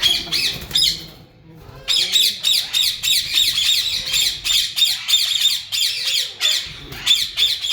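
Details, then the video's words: Yellow Indian ringneck parakeets, a breeding pair, calling naturally: loud, harsh, high squawks repeated rapidly in irregular bursts, about three per second, with a short quiet gap near the start. "yellow Alexander parrot natural sounds||yellow Ringneck Breeding pair"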